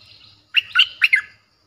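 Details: One fast, bright phrase of four warbling notes from a Streak-eared bulbul. The forceful song is played to lure wild birds.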